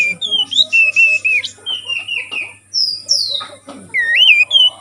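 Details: Oriental magpie-robin (kacer) from the wild, lure song for training: sweet whistled notes, some long and level, some swooping, delivered in lively phrases with a brief lull in the middle.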